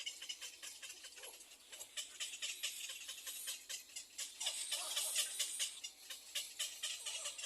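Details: Little egret chicks in a nest beg their mother for food with rapid, harsh, rasping calls, about two each second, overlapping in a noisy high chorus.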